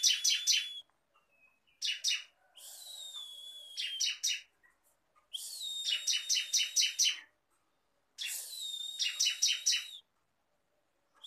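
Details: Bar-winged prinia singing: short bursts of rapid, sharp, high buzzy notes, some with a thin wavering whistle, each burst lasting one to two seconds and repeated about every three seconds against a quiet background.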